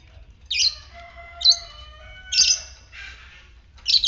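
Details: Fighter-type lovebird in the ngetik style, a lure recording meant to set other lovebirds trilling; loud shrill squawks roughly once a second, irregular, with thin held whistling tones underneath.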